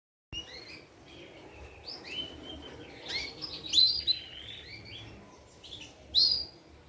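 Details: Young Portuguese Harlequin canary, 30 days old, giving soft warbled subsong: quiet high chirps and twittering notes with a few louder sharp whistled phrases near the end, over faint background hiss.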